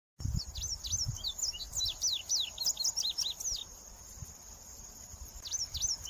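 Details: Indigo bunting singing a series of sharp paired downslurred notes, high and bright, for about three seconds, then a short fragment; a steady high insect drone runs throughout.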